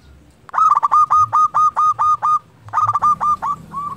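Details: Local zebra dove singing steadily, meant to provoke lazy doves to sing: two loud bursts of quick, clipped, ringing coo notes, about ten per burst, separated by a brief pause.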